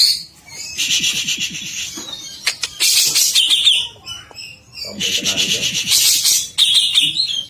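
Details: Greater green leafbird in an agitated state, repeating loud rasping chattering phrases with sharp clicks and brief whistled notes, in roughly three outbursts separated by short gaps.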